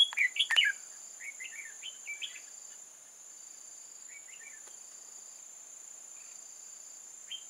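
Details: Red-whiskered bulbul singing during bird trapping in old forest on 8 October 2018: a burst of short, warbled, up-and-down phrases in the first two seconds, then scattered softer notes, over a steady high insect drone.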